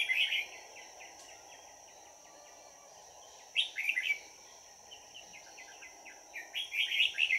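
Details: Trap decoy red-whiskered bulbul, 22 December 2018, calling wild birds in; lively liquid warbles open and close the stretch, one loud phrase mid-way, separated by faint ticking notes, steady high tone in the background.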